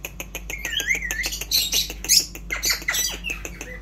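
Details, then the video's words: Indian ringneck parrot, kept as a talking bird, chattering in a dense stream of clicking pulses mixed with wavering, speech-like tonal phrases and a few higher squeaky bursts. "অসাধারণ কথা বলে চন্দনা টিয়া"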